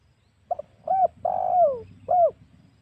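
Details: Spotted dove lure call, used to provoke wild doves for hunting at home or in the forest: a short double note, a rising-falling coo, a long slurred coo dropping in pitch, then a final arched coo.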